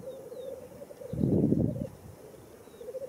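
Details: Black grouse lekking at World's End in Wales, April 2017, with a continuous, even, murmuring bubble that does not stop, and one loud, low, rushing burst in the middle.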